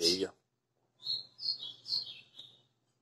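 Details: White-throated seedeater giving azulão-style song on 20 April 2020: after a short spoken word, a phrase of four or five clear high slurred whistles, each note swooping down, ending in a softer trailing note.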